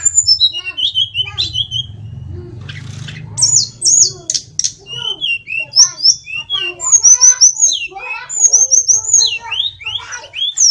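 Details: Little pied flycatcher, known locally as sulingan or tledekan, singing gacor: a busy run of high twittering notes, sharp chirps and short slurred whistles, with a low rumbling hum early on.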